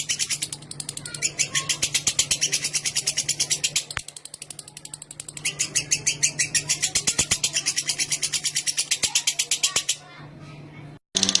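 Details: Lovebird producing a long clear chattering song used to coax other lovebirds; rapid high-pitched chatter with a short dip near four seconds, running for ten seconds before stopping, low background hum present.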